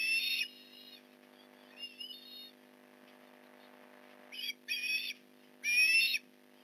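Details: Osprey at the Port Lincoln nest during a fish delivery on a November 2019 morning: scattered high, thin squeals in short bursts, louder at the start and end, with long quiet stretches between.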